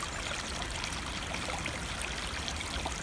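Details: A steady rush of flowing stream water, with trickling and splashing across a broad range and no animal voices.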